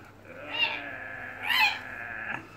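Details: A 14-year-old Indonesian red lory kept as a pet, playing indoors, gives two harsh, broad screeching squawks about a second apart, the second louder, followed by a short rasp near the end.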